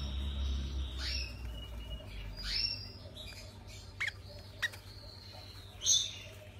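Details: Hand-fed lovebird chicks make squeaky, upward-sweeping calls repeated about once a second, with a few sharp clicks and a steady low hum behind.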